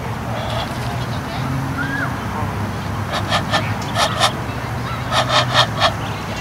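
Egyptian goose giving two quick bursts of harsh, raspy honks, three or four in each run, over a steady low hum.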